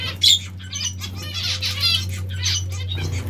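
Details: Zebra finch or Bengalese finch bathing: a sharp squeaky note, then several nasal buzzy calls about a second apart, amid soft splashing and a steady low hum.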